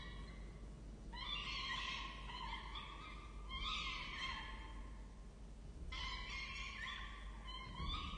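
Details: Wild peregrine falcon chicks being fed at their nest in Orange, Australia, 23 October 2023, utter three loud bouts of hoarse, harmonic begging wails separated by quieter pauses.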